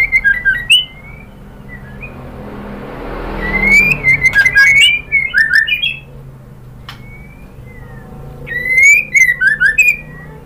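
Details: Female white-rumped shama from Sumatra calling a male, used to provoke males into singing. Bursts of clear whistled phrases with sharp rising and falling notes come in groups, separated by quiet gaps over low background hum.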